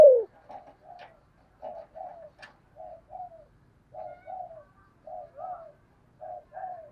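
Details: Spotted dove with a deep 'thổ sấm' voice, giving 'thúc gù' coos: soft, low paired coo notes in short groups with brief gaps, quieter and steady throughout.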